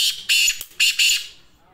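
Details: Black francolin (kala teetar) calling close by in three loud rasping bursts: one long grating note, then a quick harsh pair that fades into a faint echo.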